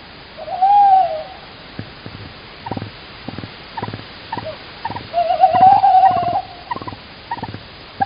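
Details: At a Estonian nest cam on 16 March 2019, a male tawny owl calls outside and the female answers: a short low hoot, then a longer wavering, quavering hoot a few seconds later, over steady sharp tapping or knocking.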